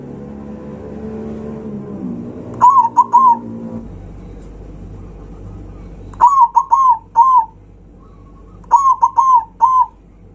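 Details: Loud song of a zebra dove, used to rile rival birds: three phrases of clipped, ringing coos in groups of three to five, with a low hum beneath the first part.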